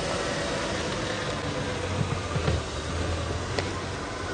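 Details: Steady engine rumble and broadband noise from an idling safari vehicle on a morning drive, with a few soft knocks and no animal calls.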